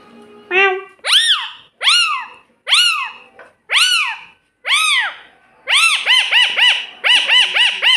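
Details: Parrot copying a cat's meow, giving a series of six loud, arched, rising-then-falling meows about a second apart, then a faster burst of shorter, bouncing meow notes. The room is quiet between calls.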